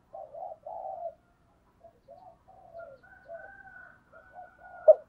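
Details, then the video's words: Spotted dove giving 'giọng thổ' style lure cooing to attract other doves: soft, wavering, low coo notes in a loose series, ending with one short, louder note; quiet background. "Tiếng cu gáy giọng thổ kích bổi hiệu quả nhất hiện nay"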